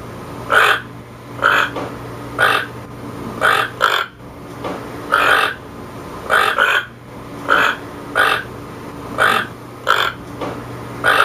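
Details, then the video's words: Toucan repeating rough, burping croaks about fifteen times, at an irregular pace of roughly one per second, with a low hum throughout. "Toucan sound"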